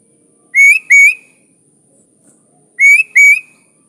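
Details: Sooty-headed bulbul performing its 'gacor full isian' song for training caged birds: two pairs of clear, slightly rising whistles, each pair lasting under a second, separated by a quiet pause.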